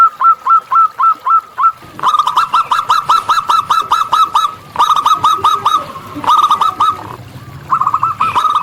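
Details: Active song of a wild local zebra dove: an opening row of separate coos, then long, dense runs of rapid staccato notes in repeated phrases, loud and close.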